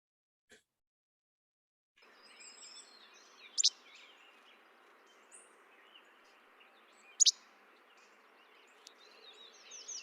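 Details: A Least Flycatcher in Colorado gives its che-bek song, two sharp, snappy notes about three and a half seconds apart, over a steady background hiss.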